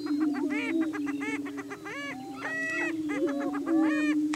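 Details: Greater Prairie Chickens in spring courtship on a lek in Washington County, Kansas: loud harmonic cackles and yelping whoops in bursts over an unbroken low booming hum from the displaying flock.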